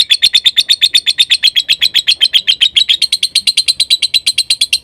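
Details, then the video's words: Lovebird song to coax other lovebirds into singing: fast, regular, scratchy chattering notes with a thin, high whistle running through them. "Masteran Suara Lovebirds Konslet,Lovebird Yang Denger Di Jamin Langsung Nyaut"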